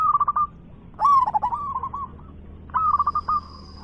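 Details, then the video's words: Big-voiced local zebra dove singing rapid rolling coo phrases: a brisk stuttering run, a louder drawn-out bubbling series that trails off, then another quick trill. A steady high tone hums in the background. "PERKUTUT LOKAL GACOR suara besar"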